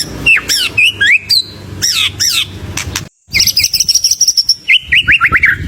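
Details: White-rumped shama, a loud bird used as a lure for other birds, singing a fast varied song of whistled rising and falling phrases and sharp chirps, with a brief silent break midway, then rapid repeated notes.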